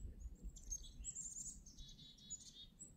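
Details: Wild black-capped chickadees calling in winter at Devil's Lake State Park: a run of high, thin, twittering notes, some briefly repeated, over soft low-pitched background noise.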